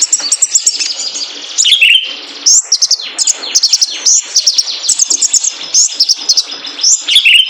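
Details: Male kolibri ninja sunbird, training lure for caged birds: loud, very high, rapid chirping runs with a couple of lower slurred notes, delivered in long uninterrupted sequences.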